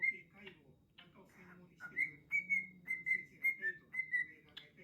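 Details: A cockatiel whistles "If You're Happy and You Know It" in clear, noticeably off-key notes, with a faint low hum behind it.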